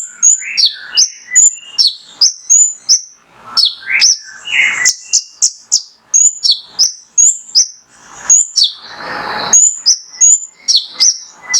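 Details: Male mangrove whistler (konin) in full song, played to provoke other birds into singing: a long, fast stream of shrill whistled notes and downslurs, a few lower sweeps among them, with a brief hissing noise burst near the end.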